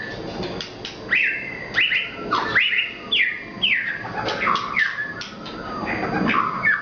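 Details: White-rumped shama from Nias, a Murai Batu Nias, singing energetically: loud clear whistled notes sliding down, repeated phrase after phrase with sharp clicks between.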